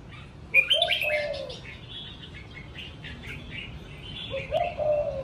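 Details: Captive, home-raised red-whiskered bulbul giving a short run of bright, bubbly whistled phrases, then a second burst about four seconds later, with busy chirping in the background.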